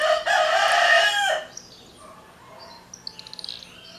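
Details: Rooster crowing loudly, interrupting a singing swallow known locally as andorinha tesoura: one long, harsh, harmonic crow lasting over a second, then quieter rapid chirping trills from small birds in the background.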